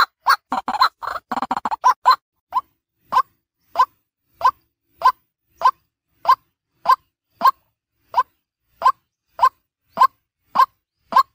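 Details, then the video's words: White-breasted waterhen lure call in daytime: a tumbling burst of croaks, then a monotonous run of short mid-pitched notes, roughly one every half-second. "Suara Ruak ruak pikat Siang hari | waterhen sound"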